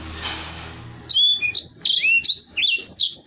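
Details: After about a second of soft noise, a Black-throated canary bursts into song, a tutor for other birds: a quick, evenly paced series of high sharp whistled notes.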